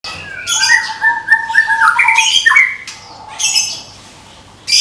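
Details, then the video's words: Captive white-rumped shama of the Medan type, a contest bird ready for competition, singing varied whistled phrases: stepped notes near one pitch, rising slurs, and harsh buzzy bursts, ending with a sharp high burst after a pause. "SUARA TEMBAKAN MURAI MEDAN SIAP DIPINANG DI GANTANGAN"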